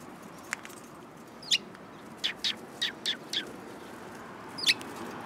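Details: Sparrows, a group including a tailless newcomer, recorded 13 February 2022 on the way home: a lone soft chirp, then about seven short, bright, high chirps in quick pairs and singles, each clearly separate, over a quiet background hiss.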